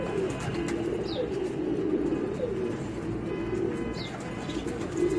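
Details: Racing pigeons with children; a steady chorus of deep throaty coos rolls on, with two short high squeaky chirps standing out over the murmur.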